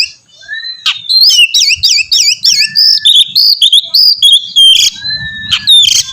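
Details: Oriental magpie-robin singing to draw song from another bird: a series of repeated V-shaped whistled notes, then sweet level whistles and a few sharp chips, over a quiet background.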